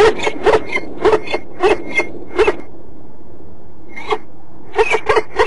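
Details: Peregrine falcon at De Mortel, Netherlands, giving harsh, rasping notes about two per second in two runs broken by a pause, over a low steady rumble.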